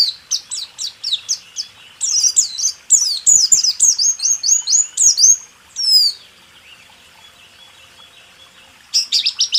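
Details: White-eye 'rool tembak' training song for caged birds: fast, chattering series of high notes for about six seconds, then near silence, with a brief burst of song returning at the end.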